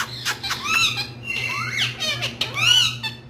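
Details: Pet green parrots indoors chatter in quick, bending harmonic squawks, some rising and some falling, packed closely together over about three seconds, with a constant low hum behind.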